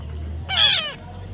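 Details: Young parrot being tamed utters a single harsh, falling squawk of about half a second, with people talking nearby.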